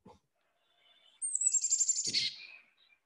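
Carolina Chickadee giving a quick chick-a-dee call: a thin, high sliding note, then a rush of harsh, buzzy dee notes. A faint thump comes just before.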